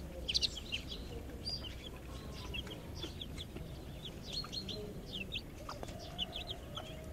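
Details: Backyard hen and chicks walking in a garden, eating grass and greens: many short, high, downslurred peeps from chicks in quick irregular succession, a few low clucks and drawn tones beneath, over light outdoor noise.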